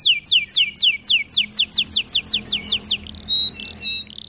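A canary sings a fast roll of high, sharply falling notes, about five a second, then a few steady, pure whistled tones.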